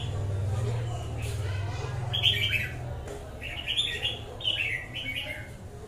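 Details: Wild-caught red-whiskered bulbul sings a series of short high whistled phrases in the second half, after a low humming drone fades.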